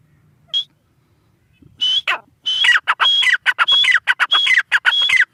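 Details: Grey francolin, locally teetar: one isolated high whistled note, a pause, then a fast series of strident phrases, each a high tone stepping down into a raspy, ringing burst, repeated without let-up.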